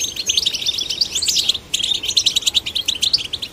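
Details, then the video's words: Male and female goldfinch chicks encouraged to sing hear fast, bright twittering goldfinch song, a jumble of high liquid notes and short trills, with a momentary break midway before the chatter continues. "Stimulating male and female goldfinch chicks to sing birds chirping"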